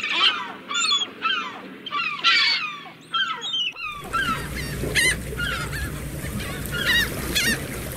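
Gulls give loud, harsh, repeated yelping calls in quick bursts, several birds overlapping, with a steady background of surf or wind in the second half.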